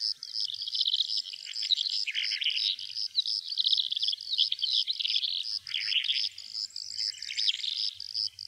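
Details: Calandra lark in Greece pouring out a fast, continuous jumble of chirps, trills and scratchy notes, high-pitched and unbroken throughout.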